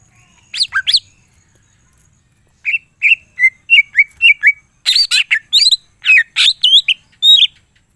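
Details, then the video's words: Captive greater green leafbird with a varied full song: a few steep sweeping notes, then a steady run of short warbled whistles, building into rapid harsh chirps and sharp rising and falling sweeps. "cucak ijo mana saja akan ikutan bunyi dan gacor dengar c ijo ini bongkar full isian"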